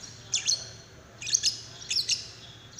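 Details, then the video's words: Lovebird prompting call for getting another lovebird to sing, three quick bursts of sharp, high, squeaky double chirps about three quarters of a second apart over faint steady hiss. "Pancingan love bird paud"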